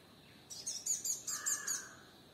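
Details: In Kerala, a sunbird feeding at firebush gives a quick series of about six thin, high-pitched chips, with a lower, drawn-out whistle underneath.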